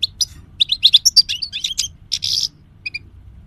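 A European goldfinch sings a fast, liquid jumble of tinkling twitters and buzzy trills, bright and high-pitched, with a faint low hum beneath.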